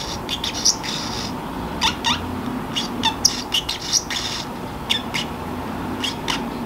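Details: Pet Pacific parrotlet kept free-roaming indoors, muttering to itself as it grows sleepy in a quiet room: short, scattered chirpy and scratchy syllables, some with a brief ringing whistle, roughly one per second over a steady low room hum.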